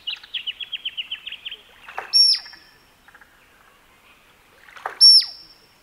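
Male musk duck display: two loud, piercing whistles, each with a sharp knock, about three seconds apart. A quick run of high chirps comes first.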